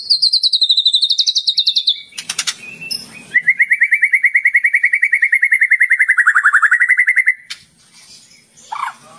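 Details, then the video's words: Champion contest white-rumped shama singing in a frenzied, nonstop manner: a rapid wavering high trill, a brief harsh burst, then a long fast series of repeated notes that slowly drops in pitch. "Murai Batu Kesurupan // Murai Gantangan Juara 15 menit non stop"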